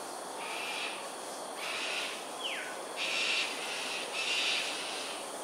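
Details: Cockatoos in aerial display at Sungei Ulu Pandan, Singapore, at 7:43 am on 13 January 2022 give four harsh, raspy screeches, each about a second long, about once a second; a single descending whistle cuts in partway through.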